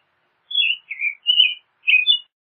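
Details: American robin song: four short clear whistled phrases in just over two seconds, each slurring and warbling, some falling and some rising, with brief gaps between them, no other sounds.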